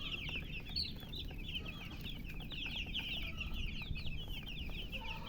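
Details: Many baby chicks chirping near a hen: dense, nonstop high peeps, each a short downward whistle, overlapping in a busy chorus over low background rumble.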